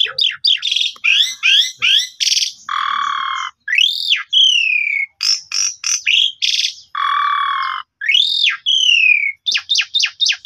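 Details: Asian pied starling song for coaxing a sulking starling to sing, recorded on a phone: rapid varied phrases mixing sharp downslurred chips, arched whistles and long rasping buzzy notes, loud and continuous.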